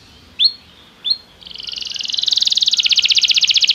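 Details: Belgian canary in a singing-training recording: two separate rising chirps, then a rapid trill that builds steadily in loudness.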